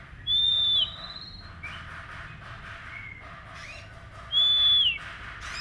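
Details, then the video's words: Untrained caged magpie-robin under daily care gives two long steady high whistles ending in a downward slur, about four seconds apart, with faint softer notes and background hiss between them. "Terapi Kacer Bahan Agar Cepat Bunyi"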